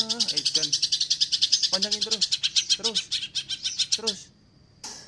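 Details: Active greater green leafbird in close-packed 'spet rapat' delivery: a long unbroken stream of fast, harsh, high rattling pulses about four seconds long, laced with short lower slurred notes, then a thin faint tone and a fresh burst.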